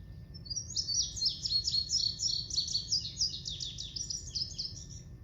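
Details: Indigo Bunting, a fairly common summer bird in Kansas, sings a long, high, sweet series of paired notes, each repeated back to back, lasting about five seconds over a low background rumble.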